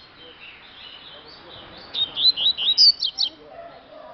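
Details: Double-collared seedeater kept at a keeper's home, singing a quick burst of about eight high, sharp, twisting notes in under two seconds after a quiet start, with faint background hum.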